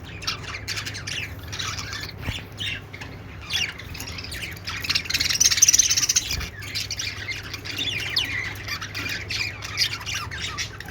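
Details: Several budgies making happy sounds keep up a continuous, scratchy warbling chatter of fast squeaks and chirps, louder in the middle stretch, with steady low hum underneath.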